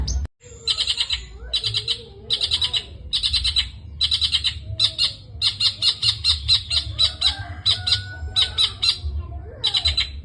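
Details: Long-tailed shrike delivering a full varied song, bursts of harsh scratchy chatter repeated roughly every second, later mixed with thin whistled phrases, over a constant low rumbling hum.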